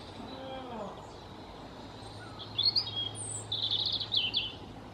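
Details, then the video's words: European robin singing in spring in Ukraine: after a low, wavering sound at the start, a short phrase of high, thin, jumbled notes follows. A steady low hum runs underneath. "Bird sound: Робін, Roodborst, Erithacus rubecula"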